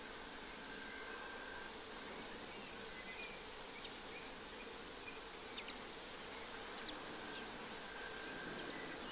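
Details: Zitting cisticola in spring, 3 April 2024, at the Séné nature reserve in Morbihan, France, gives sharp, high 'zit' notes about every two-thirds of a second, over a soft low rumble and faint background birdsong.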